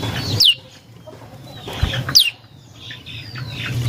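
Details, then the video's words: Prinia song used as a lure for other birds: two clear notes sweeping steeply down from very high pitch, about two seconds apart. A low thump and soft background noise are also heard. "Suara Burung Prenjak Lumut | Pancingan Prenjak Lumut Isian Sekali Denger Langsung Nyaut"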